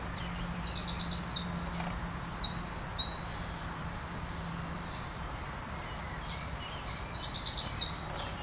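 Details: A male Eurasian wren sings in Northern Germany on 2 July 2017, courting a female to use his nest in the ivy; two bursts of shrill, fast trilling song, each about two and a half seconds, separated by a quiet gap.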